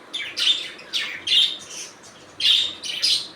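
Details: Budgies calling with a string of about six quick, raspy, high-pitched chirps in irregular bursts, some paired closely, with short lulls between.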